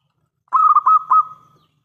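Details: Local Zebra Dove, a lively caller with a big voice used to draw replies from other doves; a single phrase of four or five rapid cooing pulses fading into a smooth sustained tone.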